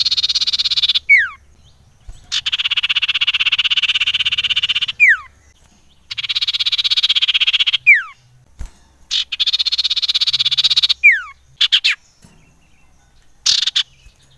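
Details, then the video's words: Common iora lure sound: long harsh rattling trills of two to three seconds, each followed by a sharp falling whistle, repeated three times with short gaps. "Suara CIPOW / Cipoh Sangat AMPUH Menaikan EMOSI SIRTU APAPUN."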